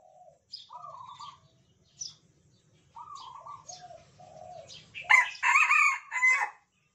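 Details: Captive, cage-tame Sumatran red junglefowl kept in one cage crowing back and forth: two fainter, clipped crows from afar, then a louder, harsh, hoarse crow nearby that breaks off abruptly. They crow from 3 a.m. into the afternoon.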